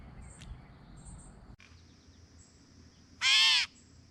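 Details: Gray catbird's signature mewing call, a single brief harsh cat-like note near the end, after faint high thin calls of other birds in the background.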